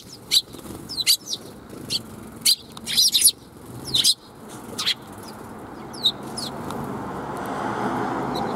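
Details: A group of sparrows greeting a walker on the way out, 16 April 2021: loud, piercing chirps repeated about every half second, some doubled, fading out as a broad background hiss rises.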